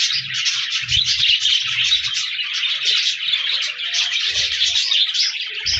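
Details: Parakeets (budgerigars) recorded on 14 January 2024, a dense wash of high, quick chirping and warbling from several birds, with faint low bumps underneath.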